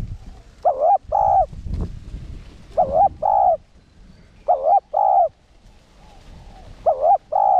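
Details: Spotted dove cooing in the one-ending decoy style used to rouse caged males; repeated paired notes, a wavering coo followed by a longer even coo, about every two seconds, with some low rustling and rumble.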